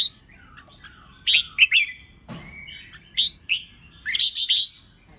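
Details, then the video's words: Red-whiskered bulbul in a contest song meant to make fresh wild-caught birds sing. Clear, slurred whistled phrases in short clusters are broken by a brief thud near the middle. "Chào Mào Kích Bổi Nhanh Ra Giọng CHÉ CHÉT,Kích Chào Mào Hót Đấu"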